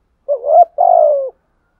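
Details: Single full phrase of a spotted dove with a thổ sấm voice, calling to goad wild doves into answering: a brief wavering upward note, a tiny break, then one long mellow coo sliding gently downward.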